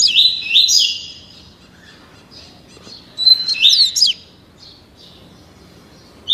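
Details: Whistled song of a young captive double-collared seedeater, 30 days old, learning the tuí tuí Alcântara style: a warbled opening phrase, a silence, then a second tumbling burst of high notes.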